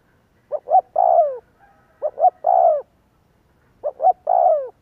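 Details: Spotted dove lure cooing to make doves call: three phrases spaced about 1.5 seconds apart, two quick soft hoots then a long coo curving downward, clean background.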